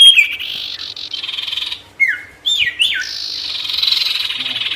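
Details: Sirtu song used to lure angry wild birds: long buzzy trill, then sharp whistled downslurs in quick succession, ending in a steady buzzing run.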